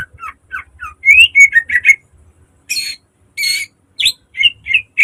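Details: Green leafbird in a cage delivering sharp, loud song phrases for training caged birds: falling whistles, then a rapid run of bright notes, a pause, harsh buzzy bursts and clear rising whistles.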